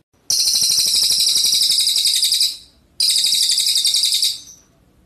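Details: Red siskin (cililin) singing prolifically in luxurious burst style, used as a tutor recording for shamas and green leafbirds: two dense, buzzy, high rattling bursts, each about two seconds with rapid pulsing and trailing off, separated by a short pause.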